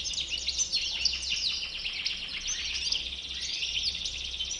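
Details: Goldfinch of the bouc blanc, or white-bearded, type giving continuous high, busy twittering with quick descending notes, somewhat blurred, plus a faint steady background hum.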